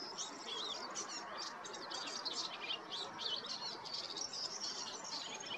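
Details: Spring song of a European goldfinch in the Golan Heights, Israel: a continuous rapid jumble of bright, high twittering notes and quick slurred chirps with no pauses, over a soft steady background hiss.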